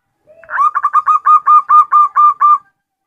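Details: Female zebra dove of the local type calling to the male: a faint low lead-in, then a rapid run of about nine even, rolling coo notes, each roughly a quarter second apart, over a quiet background.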